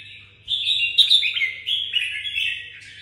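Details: After a short quiet start, a caged red-whiskered bulbul from Vietnam pours out rapid, chattering whistled notes, loudest around the middle and fading toward the end, with a faint background hum.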